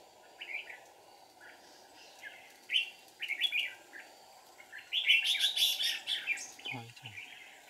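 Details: Red-whiskered bulbul song from a bird-trapping session in deep forest on 1 April 2019, decoy calling to lure wild birds: scattered chirpy notes building into a dense loud warbling burst, with a brief low knock near the end.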